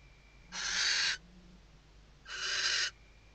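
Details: Western barn owl female at her nest in Riet Vell reserve, Ebro Delta, Spain, 2023, calling to the male while arranging nest material; two rasping, breathy shrieks about a second and a half apart, webcam hum beneath.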